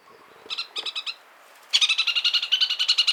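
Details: Chatham Islands parakeet calling with a few spaced harsh notes, then a sustained rapid rolling chatter of evenly repeated high, grating notes.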